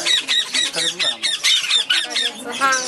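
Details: Baby black-headed caique in a shop, being hand-fed at about six weeks old, giving a rapid series of rasping, squealing begging notes, repeated several times a second, with a person talking alongside.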